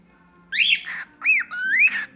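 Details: Pet cockatiel talking: a clear whistled phrase sweeping up and down, a short pause, then two more rising-and-falling whistles run together, over a faint low hum.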